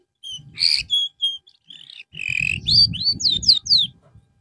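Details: Canary recovering its form through song therapy. It gives varied phrases: a harsh burst, short flat whistles, a buzzy held note, then a quick series of downward-slurred whistles, over a steady low rumbling noise.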